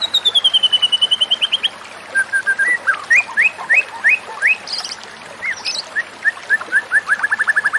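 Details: White-rumped shama song played as therapy for a stressed bird that has stopped singing: a fast series of clear whistled notes, then varied upslurred whistles and a closing rapid run of repeated notes, over a soft hissing background.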